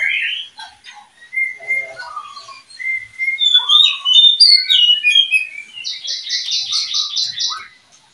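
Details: Oriental magpie-robin from a kept breeding pair, the keeper's second pair, singing a varied run of whistles, slurred notes and chatter. It ends with a fast, buzzy series of about ten even, repeated notes.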